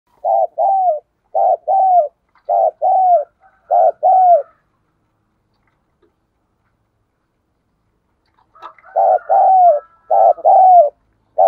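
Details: Spotted dove used as a decoy to lure wild doves, recorded in 2022, giving clear mellow coos in groups of two. Several phrases come close together, then a long silence, then another run of paired coos.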